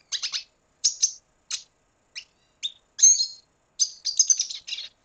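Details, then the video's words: Red siskin from Venezuela singing: a series of short, high, chirpy notes spaced by brief pauses, ending in a faster run of buzzy twittered phrases with a clean whistled note near the middle; no other sounds. "Canto Cardenalito Venezuela"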